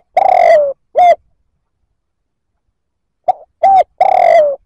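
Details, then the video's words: Spotted dove coo used to challenge other males: a long tremulous coo sliding down and a short coo, a pause, then a stuttered note, a clear coo and another drawn-out descending coo. "Tiếng chim cu gáy kích bổi chuẩn"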